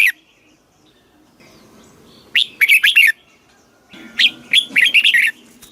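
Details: Red-whiskered bulbul, a caged bird from Thailand, giving southern master-style song meant to excite and train birds: after a quiet stretch, two chattering phrases of quick, bright whistled notes, the second longer and fuller.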